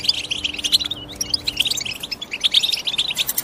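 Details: European goldfinch chirping in short, lively bursts: high twitters and sharp tweets separated by brief pauses, with a few bright, ringing accents.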